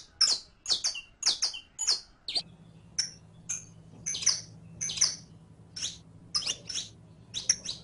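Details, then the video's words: Captive saffron finch (Sicalis flaveola) singing, used as a recording for teaching other birds to sing; rapid series of very high, sharp chirps in bursts, some doubled, with a steady low mechanical hum underneath. "ENSEÑA A CANTAR A TU CANARIO CRIOLLO CON ESTE AUDIO DE 15 MINUTOS [SICALIS FLAVEOLA]"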